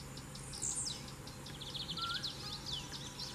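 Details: A wild lined seedeater sings a lot in nature: a quick, high twittering phrase of thin chirps and slurred notes over a steady low hum and background noise.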